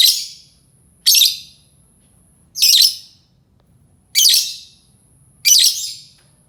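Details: Calling lovebird, meant to attract other lovebirds: five loud, grating screeches spaced roughly one and a half seconds apart, each a brief rasping burst fading quickly, with a faint steady high hiss behind.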